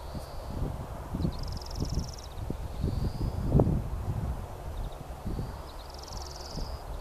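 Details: Greenfinch in full voice on a golf course in April 2015: drawn-out wheezy buzzing notes, high and nasal, repeated every two to three seconds, over heavy low wind rumble and rustling.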